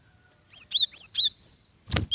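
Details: Female cinereous tit calling to a male as a lure for wild birds; four quick paired whistles dipping from high to lower pitch, a thinner drawn note, then a sharp clattering burst at the end.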